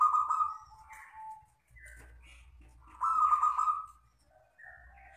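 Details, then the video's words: Local wild zebra dove, long crystal song: a trilled coo sliding to a softer lower note, a few brief higher chirps, then a second loud rippling coo and a quiet trailing note, with faint low hum. "perkutut lokal alam gacor ( suara kristal panjang )"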